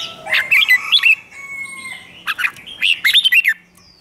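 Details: Bulbul song from a competition-singing training track: wavering, slurred whistles and short chirps, with a thin steady tone held in the middle and a second burst of warbled notes near the end.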